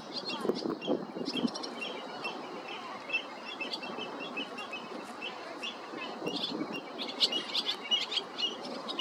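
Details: Barn swallows in California, apparently hungry young begging to be fed, give busy, high, scratchy chirps and twitters in quick overlapping bursts over a steady rushing background murmur.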